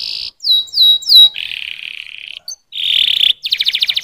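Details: Canary song opening with a steady buzzy trill, then three loud downslurred whistles, a long lower rolling trill, a brief pause, a bright rattling phrase and a final series of pulsed notes.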